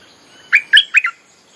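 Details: Bulbul lure song used to attract wild birds: a single short phrase of three rich, bubbly, warbled notes, rising then dropping, in a quiet setting.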